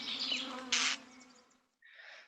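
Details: Northern Mockingbird's angry scold call: a harsh, buzzy scold lasting about a second, then a shorter, softer rasp after a brief pause, over a faint low hum.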